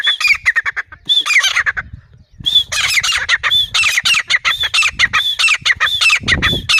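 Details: Harsh, high, rapidly repeated notes from a grey francolin fill nearly the whole recording, broken by one brief silence, with a low thump near the end.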